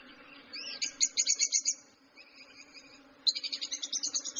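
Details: Excited lovebirds give shrill chirping bursts, quick rattling runs of high notes in two clusters separated by a quieter pause, with a faint steady hum underneath.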